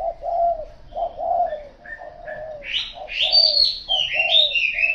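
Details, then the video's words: Repeated low coos from a spotted dove, soft paired notes with a longer second syllable, while other small birds chirp and twitter higher and louder in the second half. "Cu gáy"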